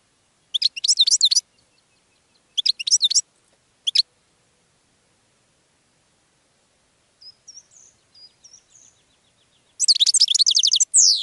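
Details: Goldfinch song meant to attract other birds: repeated bursts of rapid, high, tinkling twitters separated by quiet gaps, with soft faint chirps in between and a final lively trill ending in a downward slur.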